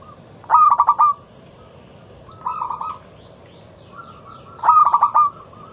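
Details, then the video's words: Local zebra dove singing a loud lure song to draw song from other doves: two bright stuttered bursts of five quick notes, separated by a softer low coo, with faint background hiss. "Masteran pancingan burung perkutut lokal suara Lantang kristal"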